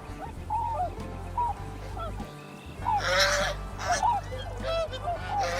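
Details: Swan honking: a series of nasal, trumpet-like honks, some rising and some falling, given one after another in short bursts, over steady background music and a loud burst of noise partway through.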